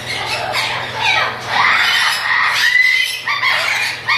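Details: Chattering lories, a breeding pair, producing loud hoarse squawks that blend into a drawn-out strained screech, with a faint steady hum underneath.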